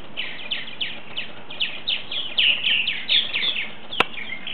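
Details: Purple martins arriving for the night in 2010, about ten birds, a rapid run of high chirping twitters, roughly three or four per second, louder midway, with one sharp click near the end.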